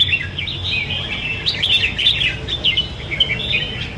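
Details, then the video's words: Two red-whiskered bulbuls singing: dense, continuous chattering of quick warbled and whistled notes, overlapping phrases without clear pauses, over low background rumble. "2 chiến binh chào mào đẳng cấp căng ché chơi cực đẹp"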